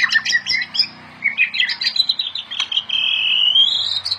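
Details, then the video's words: Chattering notes from a white-rumped shama in full gacor song build into a long, clear, rising whistle, with a soft low hum in the background. "SUARA OCEHAN BURUNG MURAI BATU GACOR UNTUK MASTERAN MURAI"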